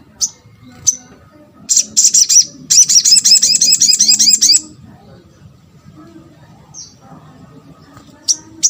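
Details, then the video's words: High thin chips from a crimson sunbird (sogok ontong), intended to get other sunbirds calling back, lead into two short bursts of quick, high, down-slurred repeated notes, followed by quiet with occasional single chips. "MUDAH BIKIN SOGON ( sogok ontong ) LAIN BUNYI GAMPANG RESPON"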